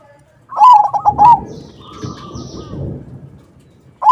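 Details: Actively singing crossbred zebra dove, the song used to lure others of its kind to answer. A loud, rolling run of warbled coos, followed by softer background noise and another phrase beginning at the end.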